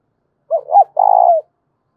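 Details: A spotted dove's resonant thúc bổi coo, delivered once. A quick pair of hooked notes is followed by a sustained vibrating coo that slides down to finish. The background is quiet.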